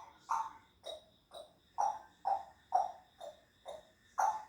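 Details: Three-year-old pet grey parrot giving a run of short hooting notes, about nine in quick, slightly uneven succession, each with a brief rise and fall, in a quiet indoor setting.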